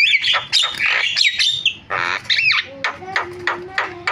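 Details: Javan myna song with harsh broadband squawks and a looping whistle, then a series of short clipped notes over a low steady tone.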